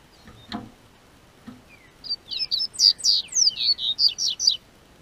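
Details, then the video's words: Double-collared seedeater in southern Brazil, singing as warm spring weather arrives, kept by an amateur breeder: a faint knock, then a brisk string of high, ringing, down-slurred notes lasting about two and a half seconds. "O Tempo Esquentou, COLEIRO Cantou"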